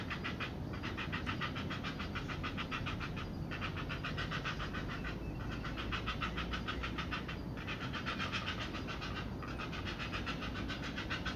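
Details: Heron young at the nest beg while a parent feeds them, with beak biting: continuous rapid rattling, harsh pulses in long runs broken by brief gaps, over constant low rumbling noise.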